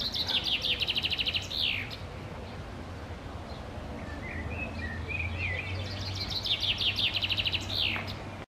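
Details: Common chaffinch singing in summer in Park Sanssouci: two full songs, each a fast descending rattle of repeated high notes ending in a sharp flourish, separated by soft chirps, over low traffic hum.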